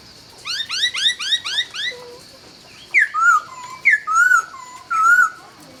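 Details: Laughingthrush singing at dawn: a fast run of about seven short rising notes, then loud, rich whistles, each dropping from a high start to a lower held tone.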